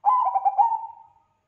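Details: Lively Bangkok-type zebra dove, known as perkutut, whose song draws replies from other doves: one cooing phrase of four or five rapid stuttered notes flowing into a drawn-out, fading final coo.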